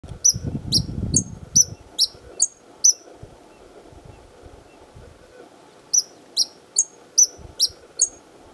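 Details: A white-vented violetear (Colibri serrirostris) at Chapada Imperial, DF, Brazil, sings from its perch to defend flowers in its territory: sharp, high, squeaky chips about twice a second in two runs of six or seven notes, with a brief low rumble at the start.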